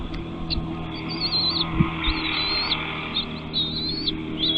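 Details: Nest chicks calling for food from their parents; thin high wavering whistles repeated in a run, set against a steady low hum and murmur.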